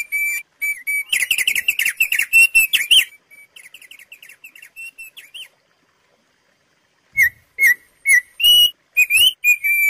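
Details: Thick-billed white-eye singing a standard song with pauses, used to teach caged birds: a dense tumbling run of whistles that fades into soft short notes, several seconds of silence, then clear spaced whistles resume.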